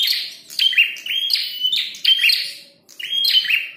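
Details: Red-headed prinia (prenjak kepala merah) singing hard while fighting: loud chirpy, buzzy phrases in bursts about every 0.7 seconds, each with sharp high notes sliding downward, and brief pauses between groups.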